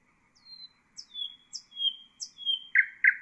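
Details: Common nightingale phrase for songbird tutoring: four high, clear descending whistles in steady rhythm, followed by two loud harsh notes.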